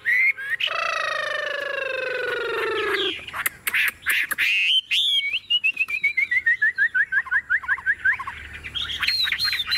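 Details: Tame caged Chinese hwamei singing while its cage is carried and shaken: loud, varied phrases of a long nasal mewing note, then a rapid run of bright repeated whistles ending in ringing slurred notes, with some clattering and clapping.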